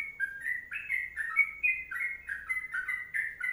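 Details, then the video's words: Sooty-headed bulbul, 'kongslet panjang' song style: a brisk stream of clear, slurred whistles, each note sliding between two pitches, packed closely together. "Masteran Trucuk Kongslet Panjang"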